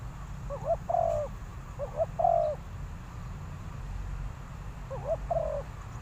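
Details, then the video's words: Spotted dove used as a decoy, calling to lure wild doves: three low hooting coo phrases, each a short double note followed by a longer falling coo, with a steady low rumble of background noise. "chim cu mồi gáy gọi bổi, Sound Of Cuckoo,Tekukur Pikat Birds"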